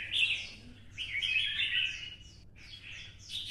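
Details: Red-whiskered bulbul from Vietnam, kept by bird hobbyists, singing in the twisting-voice style while stimulated to sing for fighting. Bright warbled phrases with a loud opening burst, a long rich middle phrase, and a renewed flourish at the end, over low background hum.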